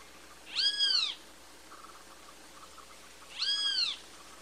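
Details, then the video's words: Two arched, ringing harmonic calls from a great kiskadee, spaced about three seconds apart, over a quiet background hiss. "CANTO DO BEM TE VI"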